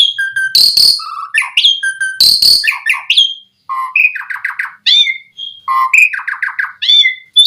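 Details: Varied Asian pied starling song meant to coax other starlings into song: harsh crackling bursts alternate with clear whistled slurs and short repeated chattering notes in quick runs, continuing almost without break.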